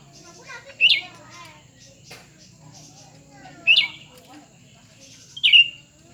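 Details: Competing cucak ranting pair, a newly acquired bird against an older one; three brief sharp warbled bursts spaced a few seconds apart over a background of murmuring human voices and a low hum.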